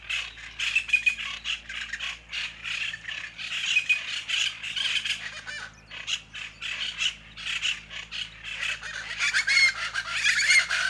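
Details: Plain chachalacas give a loud, raucous chant of harsh, grating syllables, repeated in rapid rhythmic bursts that overlap like several birds calling together.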